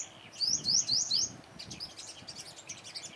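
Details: Five-coloured sunbird at a trap, confronting dominant flock-leader birds: four quick high whistled notes, each sweeping sharply upward, in under a second, followed by softer scattered high chirps over low background rumble.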